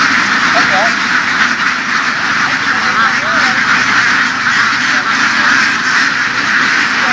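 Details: Field-herded laying ducks in western Vietnam quack together in a dense, unbroken chorus, while human voices are heard faintly over the flock early on.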